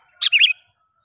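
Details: Sooty-headed bulbul in the wild, heard during a test of a young lure bird: one short bubbly phrase of a sharp note and then a quick warbled, wavering whistle, in a quiet setting.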